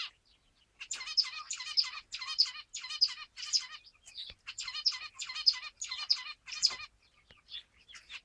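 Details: Zebra finch singing a fast, stereotyped phrase of buzzy, nasal stacked notes, repeated about every half second in two long runs with a brief pause between them.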